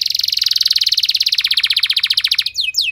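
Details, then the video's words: Canary lure song, long and loud, to stimulate other canaries: a rapid, even buzzy trill of many tiny pulses that slowly drops in pitch, ending with two swooping whistled notes. "Langsung Respon Burung Kenari Kondisi Apa Saja Dengan Pancingan Kenari Nembak Panjang Keras Ini"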